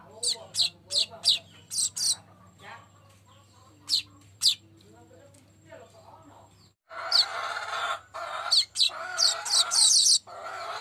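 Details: Baya weaver, a golden-headed male singing steadily and used as a lure recording, giving rapid high dry chirps in quick bursts, then a loud harsh buzzy stretch broken by sharp high notes, over a faint low hum.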